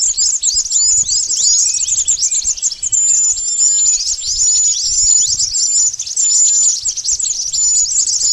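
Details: Pied bush chat call used as a trapping lure: dense, continuous high chattering of rapid downslurred chirps and thin whistles, overlapping throughout with no pauses.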